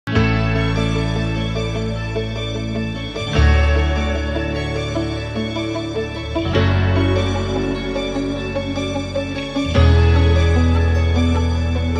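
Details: Soft, slow instrumental music with low sustained chords swelling every few seconds; no animal voices can be heard.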